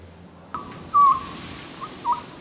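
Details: An Oriental scops owl heard from a backpacking camp on a rocky cliff ridge in Korea gives a few clear, low whistled hoots, one longer note followed by a shorter one, over a faint background hum.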